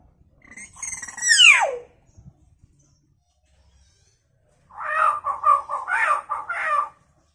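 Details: Captive hill myna imitating chicken sounds: a loud whistle sweeping steeply downward, a pause, then a burst of harsh, clucking notes repeated in quick succession, with near silence between.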